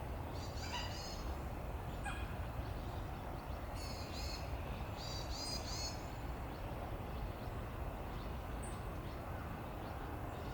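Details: Mandarin duck recorded on 23 February 2020 by digiscoping with a compact camera through a spotting scope: thin, high whistled calls with stacked harmonics in short bursts near the start and again around four to six seconds, over a steady low rumble.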